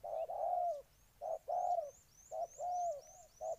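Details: Ninh Thuận spotted dove in Vietnam delivering low coos, each brief note followed by a longer drawn-out one, repeated about every second, with faint high upslurred chirps from another bird behind.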